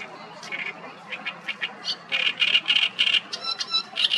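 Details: Great reed warbler singing from 5-6 meters on the Nioman riverbank in Hrodna, western Belarus, late May 2024: harsh, rasping, churring notes repeated rapidly, rising into louder grating phrases, with a constant low background rumble.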